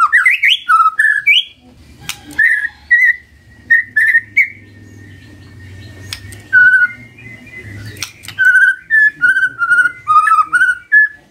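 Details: Magpie-robin singing in the morning as a lure for a silent bird: rising whistled phrases, a gap with a steady faint tone and low rumble, then evenly spaced short clear whistles that slowly drop in pitch.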